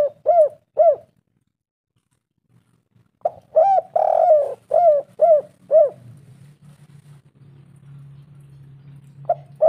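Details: Spotted dove calling, used as a lure to make other doves call: short hollow coos, two at first, then after a pause a run of six rhythmic coos, with a low hum in the background.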